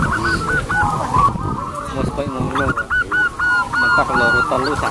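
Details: Local zebra doves singing loudly with long, clear, crystal voices, kept as lure birds: several doves overlap in quick, hooked cooing notes. Lower honking, stacked calls from other birds break in midway.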